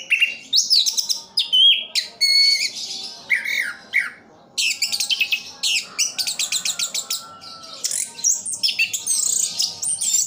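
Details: Orange-headed thrush, a cage bird praised as a tireless singer, giving rapid rattling series of repeated sharp notes, mixed with whistled slurs and harsh chattering phrases in alternating bursts.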